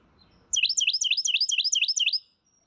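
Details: A Carolina Wren song variation, one of many with mnemonics like Germany, cherry, liberty or tweedle: a fast, even run of about eight bright, high two-note phrases, each sharply falling, lasting under two seconds.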